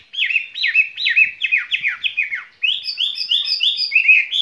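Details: Spring song of a caged skylark: a run of repeated, downslurred chirps, a short pause, then higher paired notes repeated in a quick, even series.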